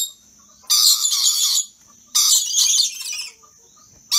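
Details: Rainbow lorikeets, a playful excited pair, give long rasping noisy screeches lasting nearly a second each, two extended bursts with a shorter one trailing, over a thin constant high tone.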